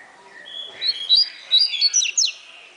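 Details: Double-collared seedeater in captivity singing 'atilharia' style, stated at 16 to 28 songs per minute: a brief twittering run of high, bright, slurred notes climbing and quickening toward the end.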